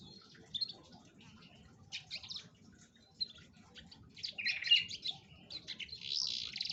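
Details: Atlantic canary singing as a lure to make a lazy canary sing: scattered bright chirps and short warbling bursts, growing louder and denser toward the end, with a faint low hum beneath.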